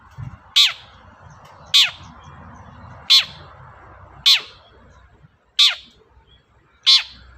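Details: Long-tailed shrike (cendet) in full voice, used to lure a quiet shrike into singing: sharp, loud chips sweeping steeply down, spaced about every one to one and a half seconds, with low background hum.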